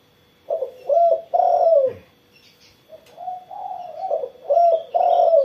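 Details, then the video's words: After sunning in the morning, a spotted dove coos steadily in low, mellow, hooting notes. The final note of each phrase is drawn out and slightly falling. Light chirping of other birds sits behind. "burung tekukur derkuku gacor setelah jemur pagi"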